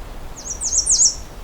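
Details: A male American Redstart, not shy, on a forest trail in breeding season gives three very high, thin notes, each slurring downward, run together in under a second over a faint low rumble.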